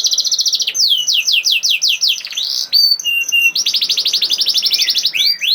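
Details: Singing canary, 'nembak' style meant to prompt silent canaries to answer and roll: fast trill, a series of descending swept notes, a flat whistle, then a long quick trill of repeated sweeps.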